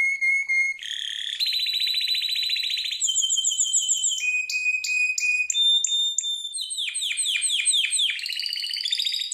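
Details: Harz Roller canary singing for training: a clear whistle, then a deep buzzy roll, high trills, a series of sharp clicking whistles and a run of falling swept notes in quick succession.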